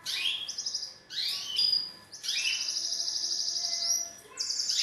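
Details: Courting male canary singing at a female to push her toward mating posture: rising sweeps and short trills lead into a long, even, high rolling trill, followed by another bright trill.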